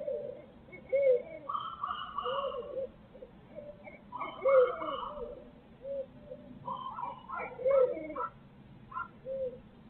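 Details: Barred owls in Midtown Tulsa on a live feed: low hoots mixed with higher, wailing, broken calls in irregular bursts about every three seconds, over a low background hum.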